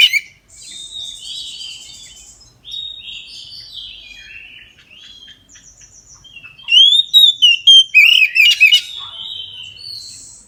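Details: Full midday song of an Oriental magpie-robin, used to encourage other magpie-robins to sing: soft rambling warbles and buzzy trills for six seconds, then a loud run of about ten sharp whistled and harsh notes.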